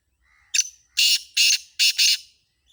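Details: Black francolin, called kala tetar or Sindhi tetar, giving its harsh grating call: a short lead-in note followed by three loud rasping, buzzy bursts, the last one doubled, all within about two seconds against a quiet background.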